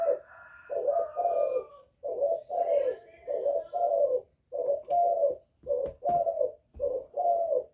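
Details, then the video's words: A young spotted dove gives calling coos and bowing coos to stir wild doves: continuous low paired coos, with a faint higher tonal sound at the start and scattered clicks. "Cu gáy tơ gáy giọng hạp bổi GÁY GỌI + KÈM GÙ BO chim cu gáy chu lèo bài bản kích bổi hay"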